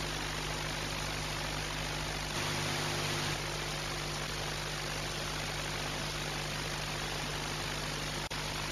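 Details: Constant engine-like drone and hiss with steady low tones, a brief louder swell partway through and a single click near the end, and no animal sounds.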